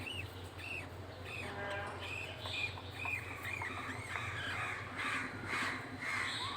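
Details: Pet budgerigars, a male feeding his chick: soft, arched squeaky calls repeated about twice a second over a low steady hum.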